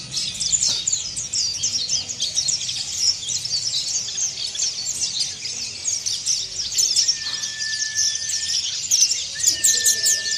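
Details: Oriental white-eye, called pleci, singing a dense, harsh, high twittering chatter without pause, with a few long steady whistled tones near the end.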